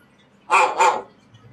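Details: A talking African grey parrot named Gregory, asked to bark like a guard dog, gives two quick, hoarse, dog-like barks, a clipped double 'woof, woof' lasting about half a second, with a quiet room behind.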